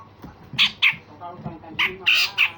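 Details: Singing grey-cheeked bulbul, used to teach other caged songbirds, delivers a few loud harsh squawking bursts close together with short gaps, over quiet background rumble.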